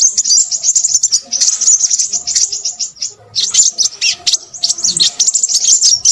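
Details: Crimson sunbird chattering excitedly: shrill, rapid twittered phrases, a brief lull around three seconds, then another dense burst of sharp high chips and trills.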